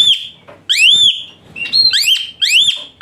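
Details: An Asian pied starling, used as therapy for a starling reluctant to sing, repeats ringing arched whistles with flat trailing notes and one higher level note between them, about four in three seconds.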